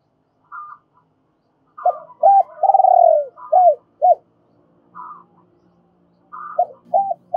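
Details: Decoy spotted dove giving double-voiced calls to attract wild doves: short, higher notes lead into deep arched coos and one long, falling drawn-out coo, then the phrase starts again. Faint low hum underneath.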